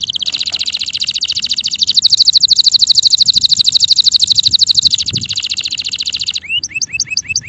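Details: Singing male canary delivers a long, rapid, very even high trill lasting about six seconds, slightly shifting pitch midway, then switches to a series of quick upswept whistled notes.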